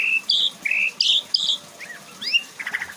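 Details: White-rumped shama singing a varied repertoire of imitated phrases: bright whistles and buzzy, rasping notes in quick succession, then slurred rising and falling whistles and a short chattering burst.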